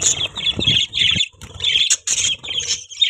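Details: Pet budgerigars chirping: bursts of high, buzzy, warbling chatter in quick runs, broken by brief pauses, with a few sharp clicks and soft low rustling beneath.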